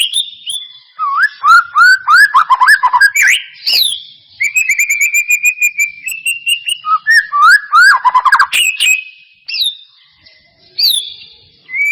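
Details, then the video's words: White-rumped shama song used as a lure to provoke a reluctant bird into singing: a varied run of loud whistled phrases, rapid rising and falling notes, fast repeated chips and slurred glides, with brief pauses between bursts. "Pancingan murai batu mancet bunyi ‼️ pancingan murai batu males bunyi‼️respon cepat"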